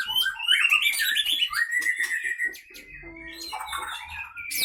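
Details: Caged white-rumped shama of Aceh's Leuser Pining line, fighting; sharp quavering whistles and a long sliding note, then softer chattering and a steady low tone near the end.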